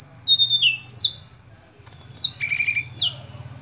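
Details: Sunda robin song: sharp descending whistled notes and rising slurred phrases in short bursts, separated by brief pauses, over a steady low hum.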